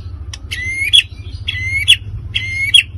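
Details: White-rumped shama singing to provoke other birds, three identical phrases roughly a second apart, each a bright whistled sweep closing with a sharp, ringing accent; a faint low hum runs beneath.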